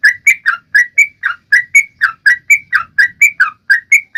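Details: Bulbul singing steadily to coax other birds, including silent ones, into song: a clean string of short slurred whistles, about four per second, each dipping or rising, with a quiet background.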